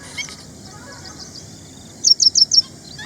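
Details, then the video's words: Ashy prinia, a small songbird of Indian urban gardens and farmland: after a quiet start, a quick run of four high, sharp notes near the end, with faint softer chirps earlier. "BIRDS: ASHY PRINIA | ASHY WREN-LARK"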